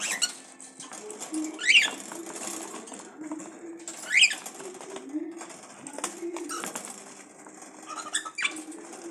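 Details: Cockatiel giving sharp, rising whistled calls a few seconds apart over a soft low murmur.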